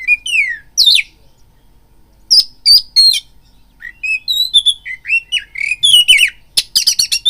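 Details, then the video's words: Kacer, the oriental magpie-robin, singing a provoking lure song meant to raise a listening bird's fighting mood; downslurred whistles, a quiet gap, then a fast run of varied chirps, trills and harsh rasping notes. "BIRAHI TARUNG KACERMU NAIK DENGAR PANCINGAN KACER INI BUNYI"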